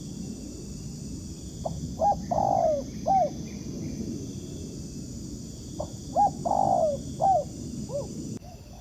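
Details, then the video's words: Wild spotted dove responding to a ground decoy, heard as two repeated coo phrases about four seconds apart, each with short lead-in notes, a drawn-out falling coo and a closing slurred note; faint hiss throughout. "Bẫy cu gáy mồi đất, gặp chú bổi gù tốt, đẹp chim, có tố chất"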